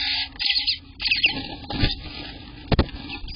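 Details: Eastern bluebird nestlings on day 18 in the nest, June 24, 2021: a few high scratchy chatter bursts mixed with rustling and two sharp thumps near the end.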